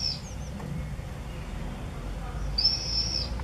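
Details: Common swifts at the entrance holes of observation nest boxes on a house in Beek-Ubbergen, 8 June 2014: thin, high screams, a brief one then a longer sizzling trill, over a steady low rumble.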